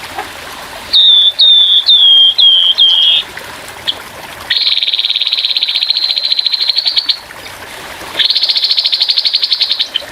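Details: Grey-headed babbler's rough rapid-fire song for birdsong training, with gently running water. Five descending whistled notes come in quick succession, followed by two long, fast, dry trills at an even high pitch.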